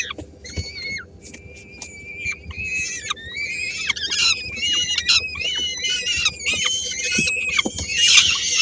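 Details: Peregrine falcon family in Helmond, 13 May 2016: three-week-old chicks and the female with a small bite of prey. Thin wavering whistled notes build into denser rasping cries, growing louder toward the end.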